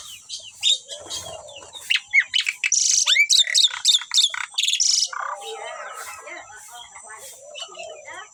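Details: Harsh, buzzy chattering from a pair of Asian pied starlings, kept birds said to sing constantly, comes in quick repeated bursts through the middle seconds, then fades to quieter scratchy warbling toward the end.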